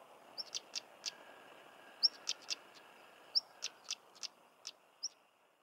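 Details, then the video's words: Cornish stonechat, England: a brief high whistle followed by clusters of two or three crisp clicking tacks, repeated several times at uneven intervals, with little other sound around. "Stonechat Bird Chirping and Singing"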